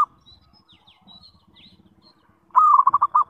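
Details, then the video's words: A zebra dove's lure call, meant to make other zebra doves reply, comes in late as one low cooing phrase: a brief steady note, then a rapid string of bubbling pulses, after faint background chirps. "SUARA PANGGILAN PERKUTUT - PANCINGAN SEMUA JENIS PERKUTUT"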